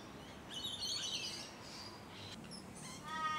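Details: Musk Lorikeets at close range in Hunters Hill, Sydney, Australia, late November to early December 2020; a loud, grating screech for about a second, brief sharp squeaks after it, and a lower nasal, rasping call at the end.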